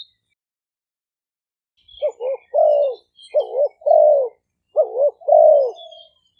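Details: Cooing of captive Spotted dove decoys, Malay strain, in Roi Et, Thailand, used to lure wild birds: after two silent seconds, three low hollow phrases, each short double note then a drawn-out falling coo, with faint high chirps behind.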